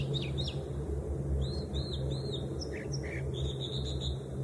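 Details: American dipper singing a string of high whistled arcs and sharp chips, some notes repeated in quick pairs, over a loud constant low rushing hum.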